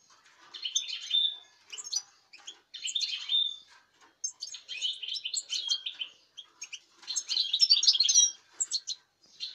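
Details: Song of a European goldfinch recorded 05.08.2019, given in separate bursts of liquid, high-pitched twitters and buzzy trills with short silent gaps between phrases.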